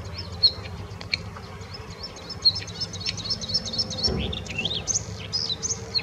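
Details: Bluethroat at the Offstein settling ponds giving a high, scratchy song of rapid ticking notes and thin whistles in short bursts, with a faint low rumble underneath.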